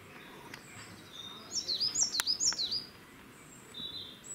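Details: A coal tit singing in Cambridge, UK, on 2 June 2020 at 2:54 pm: a quick burst of high, thin, see-sawing two-note phrases, about four in a second and a half, over soft background hiss.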